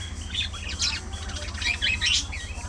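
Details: Loud, scratchy squawks and buzzy chirps from budgerigars in a social colony come in quick bursts, rising and falling in intensity, with a low hum in the background.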